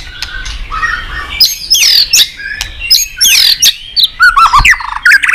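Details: White-rumped shama singing excitedly, many-voiced: scattered whistles, harsh buzzy sweeps and sharp clicks, ending in quick chattering phrases.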